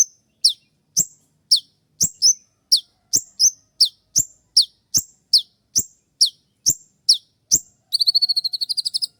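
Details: Spotted konin sunbird giving its sharp 'shot' song for training other birds: evenly spaced piercing downslurred chirps about every half second, ending in a fast buzzy rattling trill.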